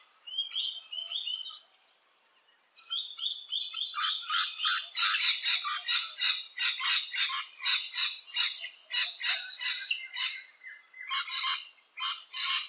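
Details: At their nesting holes in Australia, rainbow lorikeets open with a shrill squeal, fall briefly silent, then burst into fast, harsh, rattling screeches stacked tightly together for about ten seconds.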